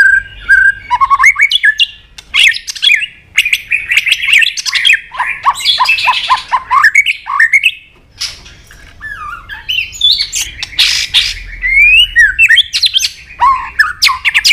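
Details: Stirred-up White-rumped shama, a kept bird pushed to sing hard with tail flicking and clicking, gives long varied sequences of whistles, harsh chattering notes and rapid repeated chips, with brief pauses between bursts.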